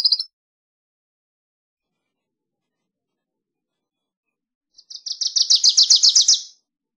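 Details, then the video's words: Wilson's warbler song: the end of one phrase opens the recording, then after a long silence comes a rapid run of about fifteen high, chipping notes that grow louder before stopping abruptly. "Wilson's Warbler Song! Wilson's Warbler Call! Sound!- Reinita De Wilson Canto"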